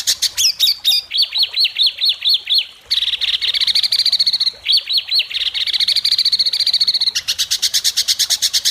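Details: Caged white-rumped shama singing before competition judges in a sharp "besetan" style: fast, looping whistled notes repeated in quick runs. A buzzing trill leads into a long stretch of rapid, evenly spaced sharp notes.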